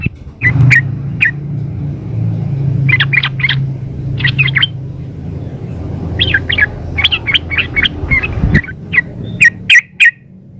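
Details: Female yellow-vented bulbul calling to the male, a lure recording: clusters of quick, bright chirps in bursts of two to five, separated by pauses, over a low steady rumble that stops near the end.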